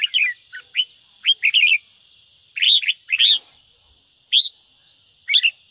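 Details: Red-whiskered bulbul, ché style of song, used to get birds singing quickly: separate loud, upslurred whistled notes in pairs and short groups, with clear pauses of up to a second between them.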